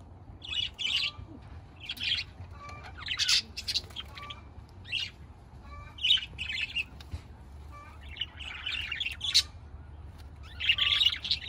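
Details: Budgerigar chatter: scattered clusters of rasping chirps and squeaky notes, broken by short pauses, with brief thin whistles between bursts.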